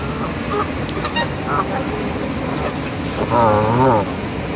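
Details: Goose hostile to fellow geese: faint scattered honks early, then a long, loud wavering nasal honk with strong harmonics near the end, over persistent broadband background noise.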